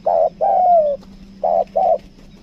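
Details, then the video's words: Spotted dove used as a lure bird, 'kuk dua' type, giving a short coo then a long gently falling coo, followed by two short even coos; a low background hum runs throughout. "PIKAT TEKUKUR KUK DUA"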